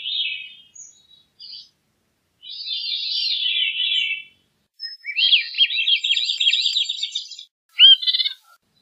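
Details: Veery vocalizing: short high notes, then a downward-spiraling flutey phrase, a buzzy trembling series, and a final sharp note, all in quiet surroundings.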